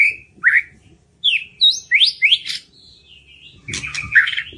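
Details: White-rumped shama singing as a lure to prompt birds that rarely sing to join in: varied rich whistles, upslurred and bending notes in quick succession, ending in a burst of harsher chattering notes over light background noise.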